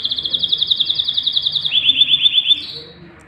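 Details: Male canary with his mate and nestlings being fed; a quick rolling trill steps down in pitch midway, continues pulsing, then tapers off with a brief high whistle at the end.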